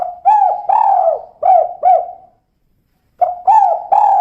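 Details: Female spotted dove (tekukur) giving the kuk-kuk call: a phrase of five low, mellow coos with a longer drawn central note, then silence and a second phrase of three hollow coos. Nothing else is heard.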